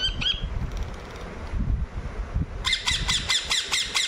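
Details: A pet rose-ringed (ringneck) parakeet indoors at feeding time gives a harsh, high squawk, then a rapid run of six or seven grating screeches, over low indoor rumble.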